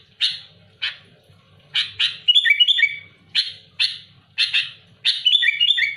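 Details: A sooty-headed bulbul sings loud and keen to face down rivals, giving sharp raspy chirps roughly every half second, broken by two quick, bubbling whistled flourishes.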